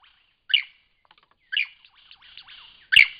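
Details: Lyrebird in Cape Liptrap Coastal Park, singing: three loud, rich descending whistled bursts with softer buzzy and clicking notes between them, clear with no other sounds.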